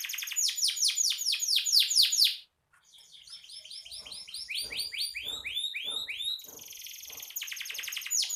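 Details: Canary in energetic song: a loud rapid roll of descending notes, a short silence, then a series of slurred arched whistles and a dry buzzy trill to finish.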